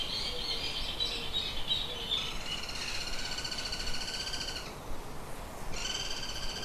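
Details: Birds in a shed: a run of short high squeaks gives way to long, harmonic, squawking notes, a brief pause, then another sustained squawk; low background rumble throughout.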